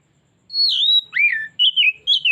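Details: Oriental magpie-robin song used as a lure to draw out its repertoire: clear, high whistled phrases, a long slurred note, a dipping swoop, then short warbled whistles in quick succession, against a quiet background.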